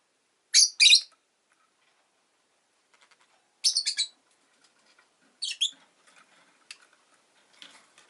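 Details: Rosy-faced lovebird chirping in short clusters: a shrill double chirp, then a triple, then a softer pair, followed by faint scattered ticks and quiet.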